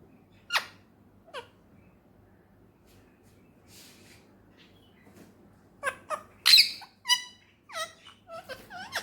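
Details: Male ringneck parrot, a pet rose-ringed parakeet in Pakistan, gives two isolated squeaks, a quiet stretch, then a burst of loud squawks and short chattering syllables.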